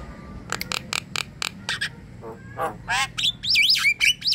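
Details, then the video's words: Javan myna in full, lively song, offered as playback to coax a silent, slow-to-sing myna into singing: rapid harsh clicking bursts, a low grating rasp, then squeaky chatter and wavering whistles that swoop up and down near the end. "Ocehan jalak kebo gacor"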